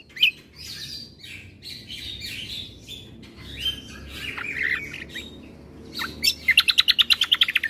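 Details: White-eye combo song that provokes birds into calling: soft rambling buzzy warbles and harsh notes, ending in a fast, even series of bright repeated chips.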